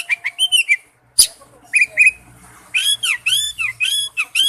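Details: Oriental magpie-robin lure recording: short whistled phrases and a sharp click, followed by a lively string of looping, slurred whistles over a faint low hum.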